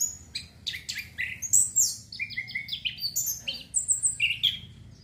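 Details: Anis kembang, the orange-headed thrush, singing as breeding-urge therapy. Quick, varied high whistles and sharp chirps follow one another in fast, jumbled phrases over a faint low background hum.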